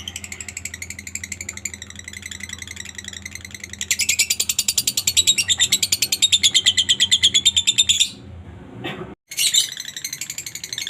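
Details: Lovebird singing to stimulate other lovebirds: soft twitters swell into a loud, rapid, steady chatter of shrill high notes for several seconds, break off briefly, then resume.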